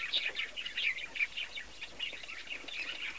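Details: Young chick peeping from a nest built in an old cabinet, kept indoors for breeding; soft, high, thin peeps come in quick irregular bursts throughout, fairly faint against a quiet background.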